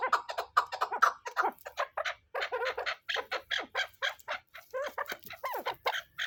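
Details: Chukar partridge (chakor, keklik) call used for hunting: a dense run of harsh, mid-pitched clucking chuk notes, about two each second, with squealing rising notes toward the end.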